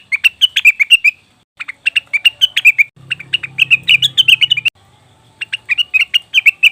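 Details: Cucak wilis or rengganis leafbird used as a singing lure: bursts of rapid, bright chirps separated by short pauses, with a low humming tone beneath the third burst.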